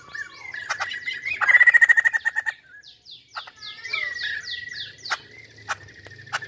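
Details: Chinese hwamei in full, long-lasting song: loud whistled phrases that vary, a rapid repeated-note trill near the start, then slurred notes and sharp separate notes.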